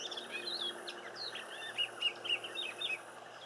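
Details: Silvereyes (Zosterops lateralis) visiting a garden give a rapid stream of thin, high chirps and short warbled notes, several per second, over a soft background hiss.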